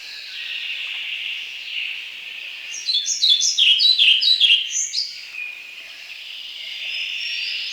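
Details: European Pied Flycatcher from the forests of Wielkopolski National Park, Poland: one short phrase of high, sweet notes alternating up and down in a quick, bouncy rhythm, lasting about two seconds, over a steady high background hiss.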